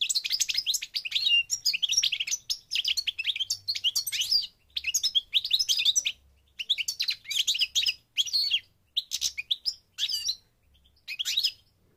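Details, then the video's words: Goldfinch from North Africa, Morocco, singing: bursts of bright twittering, tinkling notes and quick chirps, each phrase about half a second to a second, separated by short silences, with a faint low hum underneath. "The Goldfinch's Song North Africa - Parva Morocco Bird Song"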